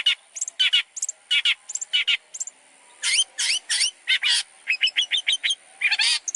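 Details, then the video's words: Long-tailed shrike song for training other songbirds: varied harsh bursts, short rising whistled notes and quick chips alternating in a lively mixed medley, high and bright. "PANCINGAN MASTERAN BURUNG CENDET | FULL ISIAN MEWAH"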